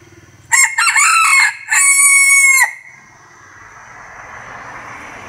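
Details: Bantam rooster crowing: a rough, broken opening burst followed by a long, sustained, slightly falling note ending abruptly, the whole crow lasting about two seconds, then quiet room hum.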